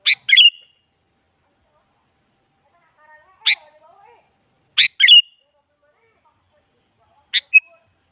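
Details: Female sooty-headed bulbul calling a male, used to coax a silent bulbul into replying: brisk high phrases of two or three quick slurred notes, separated by pauses of a second or more, plus single sharp chirps.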